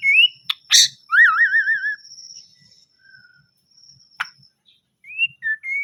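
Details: White-rumped shama singing melodiously: a short rising whistle, a sharp click, a loud wavering trilled whistle, a quieter low whistle, then brief rising and falling whistled notes after a pause; constant faint high tone present.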